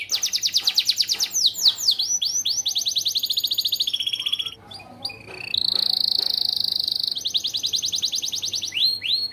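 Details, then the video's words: Yellow AF canary in lively, varied song: rapid rolling trills of swept notes, a brief pause with soft notes, then a long buzzy high trill held for about two seconds before fast sweeping phrases return. "KENARI AF KUNING ISIAN GACOR"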